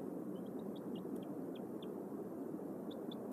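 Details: Bald eagles at their nest in a cottonwood tree in Decorah on an April evening at sunset, with the female and eaglets settling in as the male delivers a fish. High, thin, squeaky notes in a loose series sound over a loud, steady low rumble.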